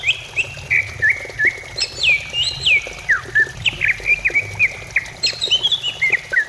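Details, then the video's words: Greater green leafbird song used to lure singing: rapid chain of hooked whistled notes, some sweeping down steeply from high, repeated several times a second, with soft low hum behind. "Pancingan cucak ijo supaya cepat bunyi"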